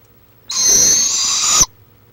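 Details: Barred owl in Florida, recorded on a live stream, 23 March 2015: a rough, hissing, steady screech of just over a second, rising slightly in strength before stopping abruptly; background quiet apart from a low hum.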